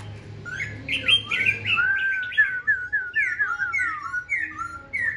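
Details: A tame Black-throated laughingthrush sings all day, alone without a female, on a cold day, competing with a nearby bird: a rapid, unbroken stream of rich, varied whistles with sliding, rising and falling notes in quick phrases over a faint low hum.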